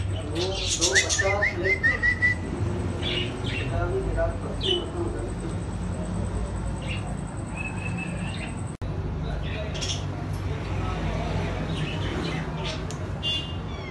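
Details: A young pet pair of African grey parrots give a mix of clear whistles, harsh squawks and chattering, speech-like notes in irregular bursts over a steady low hum.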